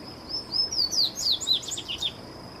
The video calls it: Papa capim baianinho